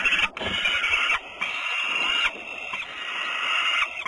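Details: Peregrine falcons recorded in Włocławek, Poland, on a Sunday afternoon, 6 June 2010: loud, grating, sustained wailing calls repeated with short breaks, nearly continuous throughout.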